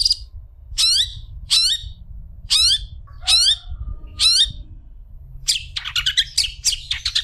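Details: Long-tailed shrike song used as a tutor recording for training other shrikes: sharp, harsh descending notes repeated roughly every 0.7 seconds, then a rapid scratchy chatter, over a steady low hum.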